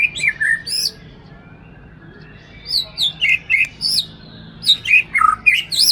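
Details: Caged white-rumped shama from Aceh, a loud bird that readily copies recorded or live master songs, singing a varied string of slurred whistles dipping and rising, about four notes a second after an opening pause.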